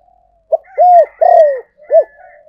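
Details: A spotted dove decoy call for luring. One phrase of four notes: a short start, a rounded arched coo, a long grating falling coo and a crisp last note, with a faint steady higher tone underneath.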